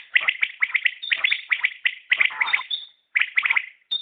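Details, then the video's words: Common quail call phrases packed closely together, sharp clicking-whistled notes in quick sets of three, broken by a brief pause near the end. "Batair Ki Awaz | Common Quail Calling"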